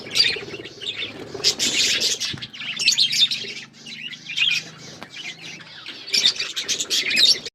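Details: Budgerigars chirping while eating green food, a lively mix of sharp high chirps and grating chatter in surges, over a faint low hum.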